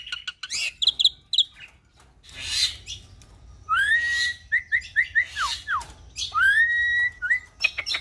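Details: Cage-kept Nias hill myna x Asian pied starling cross sings a mixed phrase: scattered chips and noisy bursts, then clear rising whistles and short stepped whistled notes, with a drawn-out upslurred whistle near the end.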